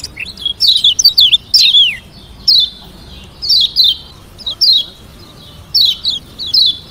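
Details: Caged Lombok yellow white-eye delivering a varied song used to provoke rival birds to reply; rapid high, sharply descending notes in short groups separated by brief gaps, steady throughout.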